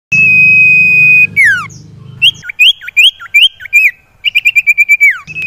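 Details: Common iora song used as lure audio to coax reluctant caged birds into singing: a long flat whistle dropping into a falling slur, then rapid rising whistled notes and a fast series of short chips ending in a downslur, over low hum.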